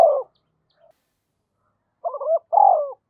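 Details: Decoy spotted dove calling to excite wild doves: the tail of one coo, a pause, then a full phrase of two short notes and a long falling coo, another starting at the end.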